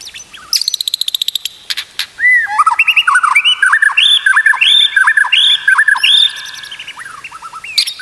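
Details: Training song of a white-rumped shama for teaching other shamas: a quick rattle, then a long run of varied looping whistled phrases that rise and fall, delivered briskly and continuously.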